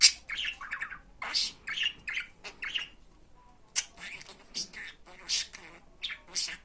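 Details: Talking budgerigar recorded so listening budgies can learn Turkish words such as "benim aşkım" within about twenty days; raspy, chattering syllables in clustered bursts separated by short pauses.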